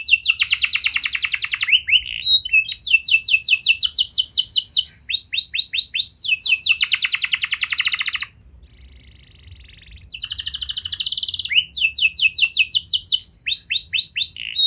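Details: Canary singing to coax young canaries into song: long bouts of rapid, rattling trills and sweeping slurs, with a quiet pause of about two seconds partway through.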